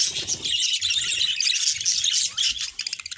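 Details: Pair of pet budgies singing and talking: dense, continuous high-pitched warbling chatter with quick chirps and clicks, tapering into short separate notes at the end.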